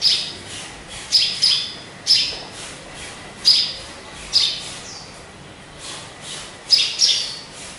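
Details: Pet sparrow kept in a cage, hung high away from people, chirps repeatedly in short, high, clipped notes. Some come in quick pairs and others singly, with uneven gaps between them, about nine in all.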